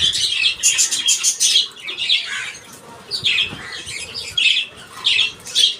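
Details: Several pet budgerigars in a colony, eating soft food in the morning, chirp and chatter in quick, scratchy bursts, calling over one another.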